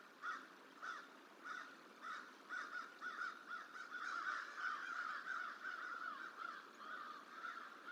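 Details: A crow protests a juvenile bald eagle at the Decorah hatchery, 29 January 2023, trying to chase it away, on a live bird cam; spaced harsh caws speed up into a dense, continuous cawing run midway, then space out again over light background hiss.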